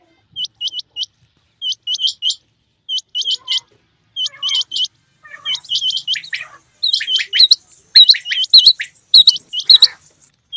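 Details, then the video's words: Quail, male and female, heard in rain. Crisp rising whistled notes come in quick triplets with short pauses, then turn busier and overlapping, with buzzy accents in the last seconds. "Rain Male Female Quail Beautiful Sounds"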